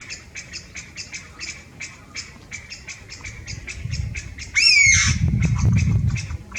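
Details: Chinese bamboo partridge ground calls recorded 11 March 2023. A male perched on a branch about 3 m up, not singing, gives a loud, harsh, downslurred "pyaa" once. Throughout, other bamboo partridges repeat short "pyu" notes in the background, about two per second.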